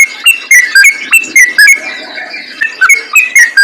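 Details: A yellow-vented bulbul delivering brisk, bubbly phrases in 'gacor ngalas' style, used to lure other bulbuls. Quick whistled notes bounce up and down, with a softer stretch in the middle before the chatter resumes.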